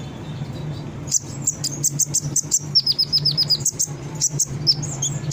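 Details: Brown-throated sunbird song used as a lure for untrained sunbirds: quiet start, then sharp high chips about every quarter second, with a quick descending run of thin notes in the middle, over a low hum.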